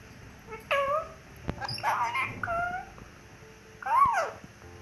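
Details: Pet rose-ringed (ringneck) parakeet talking: a few short speech-like syllables with bent, warbling harmonic contours, a sharp click, then a louder rising-falling squawky phrase near the end.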